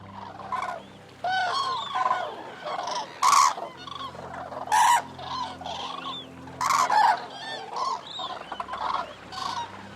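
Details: Eurasian cranes calling in short bursts of loud, rolling trumpeted notes, several birds overlapping in clusters separated by brief quieter gaps, with a steady low hum underneath.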